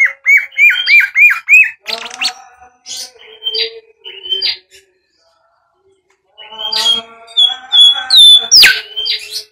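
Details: Bimoli whistling, used as a lure for training birds: a run of quick rising whistled notes repeated about every quarter second, then varied chattering and slurred whistles, a pause, and a burst of sharp high whistles and squeaky notes.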